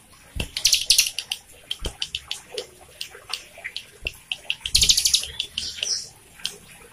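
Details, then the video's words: Hill Prinia (ciblek gunung) song used as a lure/master recording for young or silent birds: rapid, high, thin chips and trills, several notes a second, with splashing water and a few dull knocks behind. "masteran cigun gacor"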